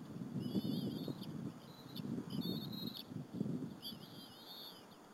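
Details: Two bald eagle eaglets sharing a squirrel with their mother at the nest on an afternoon, 30 April 2015, at Berry College; thin whistled squeals in short bursts over steady low rustling and tearing sounds from the feeding.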